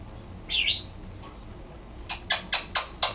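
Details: Pet male African grey parrot practising words: one arched squawk, then after a pause a run of five sharp clicking bursts spaced about a quarter second apart.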